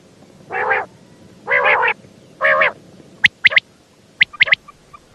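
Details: Three rasping, buzzy nasal notes from a female quail, about a second apart, followed by a scatter of quick sharp high clicks and tiny chips.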